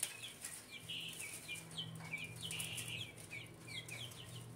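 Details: A group of guineafowl from 2024 gives harsh, repeated, slurred chattering calls in quick succession over a noticeable low engine-like hum.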